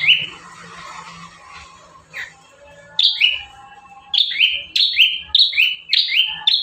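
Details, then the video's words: Bar-winged prinia in one of five song variations used to train caged birds: after faint scattered notes, a steady string of loud, high, two-part chirps, each whistle falling into a buzzy tail, about two per second. "Burung prenjak tamu gacor 5 variasi mantap jiwa"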